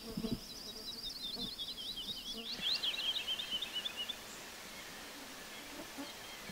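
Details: A woodlark sings two liquid, fluty phrases, repeating the same motif in quick notes that speed up, tumble downward and fade at the verse's end; low thumps and faint background noise. Woodlark.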